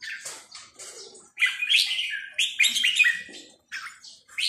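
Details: Red-whiskered bulbul singing in the 'sai nap dok' (counting-phrase) song style: a series of bright, warbled, liquid phrases with quick rising and falling notes. Short pauses separate them, and about five phrase groups come in quick succession.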